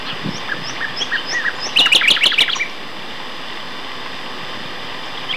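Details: Two male nightingales singing in May 2012 at Castor Hanglands near Peterborough: a soft series of rising whistles, then a loud rapid rattle of harsh repeated notes, then near silence.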